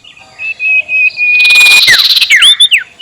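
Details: Sirtu calling in the ngekek style, a lure meant to provoke rivals: a long steady high whistle runs into loud buzzy rattling chatter, ending with quick looping whistled notes.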